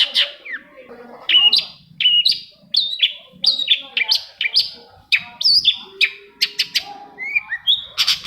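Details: Long-tailed shrike song aimed at making quiet shrikes sing: a busy, varied stream of chirps, falling slurs and clipped whistles, with a few lower buzzy notes mixed in.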